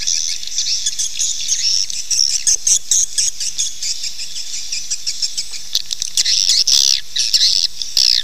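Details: Swiftlets calling, played to attract them to nest: sustained high buzzy twittering broken by short clicks, growing louder and denser toward the end.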